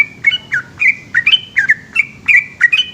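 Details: Nighttime ropel song of a yellow-vented bulbul in Indonesia: crisp, warbled whistles with abrupt downward slurs, several doubled, flowing about three per second above a low murmuring background.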